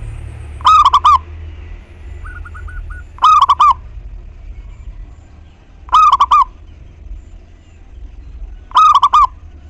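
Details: Lure recording of a local zebra dove in full song to prompt other doves to answer: four loud, quavering coo phrases of quick pulses, evenly repeated about every two and a half seconds, with a quiet faint call between.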